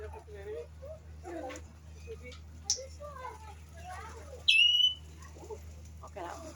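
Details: At Five Sisters Zoo an African grey parrot, walking upside down, makes soft gurgling chatter then a sudden sharp, steady high whistle lasting half a second near the end, with people murmuring nearby.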